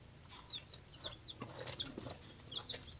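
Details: Mixed-breed baby chicks, three days old, give a quick run of thin, high, down-slurred peeps, several birds calling over one another over soft rustling.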